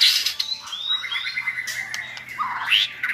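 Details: White-rumped shama song used in tutoring a chosen shama toward a clear voice; long sliding whistles, one held tone, then a rising harsh note near the end.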